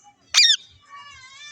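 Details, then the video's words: An indoor pet rose-ringed parakeet, with music playing, gives one loud, harsh, down-slurred squawk lasting about a quarter second, then a softer, steady, tonal whistle-like sound follows. "beautiful birds🦜voice relaxing sounds | indian green parrot sounds"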